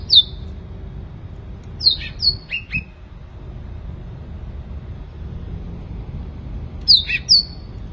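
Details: Sooty-headed bulbul singing with clipped downward-sliding whistles, a group of three notes early on, then a long quiet gap before a closing pair, with faint low background noise.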